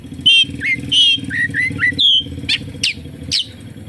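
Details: Oriental magpie-robin song carrying kapas tembak mimicry: clear whistled slurs and short notes over a steady low hum, ending with a few sharp upward chips.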